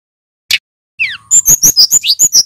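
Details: Loud, clear song of a male Brown-chested Jungle Flycatcher. After a single sharp note and a falling whistle comes a quick, even series of high, bright chirped notes.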